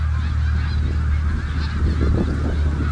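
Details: Massed honking of snow geese on the Richelieu River, countless voices blending into a constant clamour, partly masked by heavy low rumbling like wind or distant engine noise.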